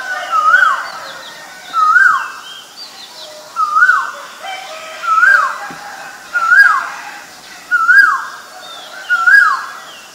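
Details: Male Asian koel giving seven clear rising whistled notes at a steady pace, roughly one every one and a half seconds, each a quick upward swoop; faint other bird chirps behind.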